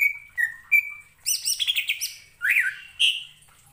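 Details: Greater green leafbird singing to rile up other leafbirds. Clear level whistles are followed by a rough, buzzy warbled phrase, then two loud upslurred notes rising toward a high pitch.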